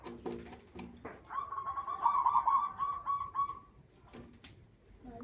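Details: Lure song of a local zebra dove meant to prompt other doves to sing: a fairly quiet run of quick, evenly trilled coos, with clatter and broad background noise before and after.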